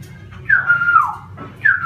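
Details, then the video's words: Wild laughingthrush giving a drawn-out whistled note that slides gently downward, then a second sharp whistle starting after a short pause, over a steady low hum. "CHIM KHƯỚU RỪNG HÓT CỰC HAY"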